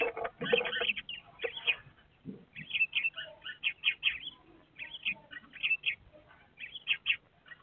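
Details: Eurasian tree sparrows at a nest box at about 11:00 on 27 December: the nesting female in the box hole trades short, bright chirps in quick bursts with a bird on the roof, apparently her mate; a few lower murmurs underneath.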